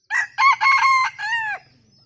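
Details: Bantam chicken's laughing crow: a clipped opening note, two strong pulsed bursts, then a sustained tone that drops off at the end.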